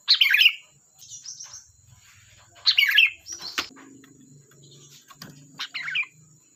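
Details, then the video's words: Singing kutilang, or sooty-headed bulbul: repeated bubbly warbled phrases every two to three seconds, with low soft rumbling and clicks between them and a steady high whine behind. "Suara burung Kutilang Gacor || Ocehan Kutilang"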